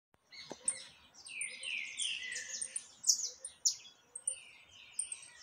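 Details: Saffron finch singing a lot, recorded 20 October 2021: bright chirped phrases with descending slurred notes and high sharp ticks, several birds overlapping in a busy chorus.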